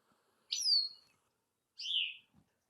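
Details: Bicknell's thrush song played aloud on a birding walk in Rangeley, Maine: two brief, thin, very high phrases, each slurring downward, about a second apart; likened to guitar strings popping.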